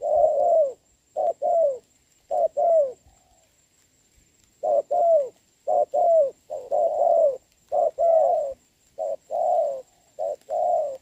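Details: A decoy spotted dove and a responsive wild bird cooing during rain, 26 November 2022; quick sets of hoarse, downward-curving coos, a pause of about two seconds, then the calling resumes steadily.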